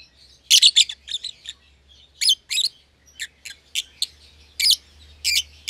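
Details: Caged young lovebirds, euwing green opaline and albino with red eyes: busy shrill chirping in doubled bursts, over a faint low hum.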